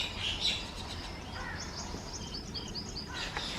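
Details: Migratory rosy starlings feeding on date fruit give high, thin chirps and short squeaky notes, scattered through the moment over a steady low rural background hum.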